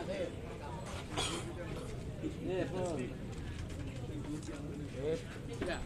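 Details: Spotted doves coo at a dove singing contest in Yogyakarta, in soft, low, hollow phrases, several birds overlapping, against steady crowd chatter and background hum.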